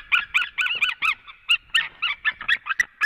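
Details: White-tailed eagle pair calling together at a Latvian nest as the male returns, 23 February 2017 around midday; a rapid, steady series of loud, harsh yelping notes, about five or six each second, with no other clear sounds.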